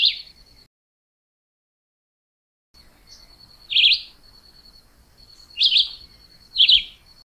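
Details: Chivi vireo singing short, warbled phrases that drop and rise, three phrases about a second apart after a brief pause, over a steady high whine that runs through the recording.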